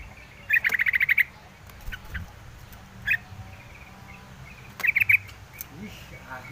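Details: Yellow-vented bulbul: a quick run of sharp chattering notes at the start, then scattered single notes and a short triple burst near the middle, over steady low background noise.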